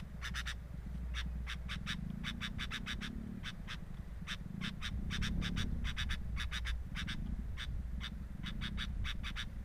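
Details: Sooty-headed bulbul at its nest, filmed by a camera placed at the nest: rapid, uneven bursts of short, sharp chipping notes, several per second, in small clusters over a steady low hum.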